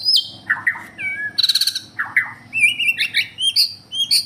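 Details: White-rumped shama of the Borneo type, singing a varied, rich song: sweeping whistles that slide down, rapid buzzy trill bursts, then bright rising whistled phrases repeated several times, over a faint steady low hum.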